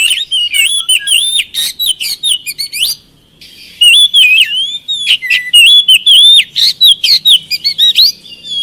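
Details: Oriental magpie-robin lure song for birds reluctant to sing: energetic whistled phrases mixed with rapid chirps and upswept notes, a brief pause near three seconds, then a long run of loud, varied, quickly repeated notes.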